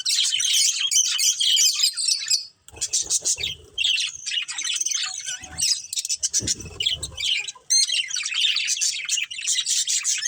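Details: Budgerigar breeding pair with bursts of high, rapid twittering and chattering chirps, broken by short gaps and quieter scratchy sections, then a dense warble at the end.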